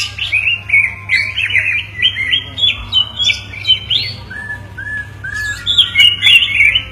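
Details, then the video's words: Pair of greater green leafbirds in a back-and-forth singing exchange: repeated rising whistles and warbled notes, with sharp squeaky bursts near the end and a constant low hum. "dua burung cucak ijo berkicau bersahutan"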